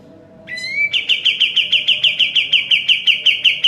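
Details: Sooty-headed bulbul singing strongly, recorded for teaching caged birds: one rising upslurred whistle, then a quick, rattling run of about sixteen bright, evenly spaced chirps on one pitch.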